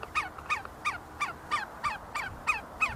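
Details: A group of see-see partridges feeding and fighting on the grounds of the University of Sulaimani, Kurdistan, giving a rapid series of sharp, downslurred double-toned notes, about three per second, evenly spaced.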